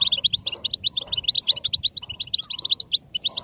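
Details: European goldfinch song played to stimulate singing: rapid, dense twittering of short tinkling notes and buzzy trills, continuous with brief gaps, plus faint lower rustling sounds beneath.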